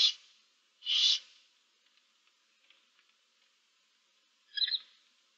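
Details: Seven barn owl nestlings in a nest box, 15 March 2024, give three hoarse hisses, two close together at the start and one about four seconds later.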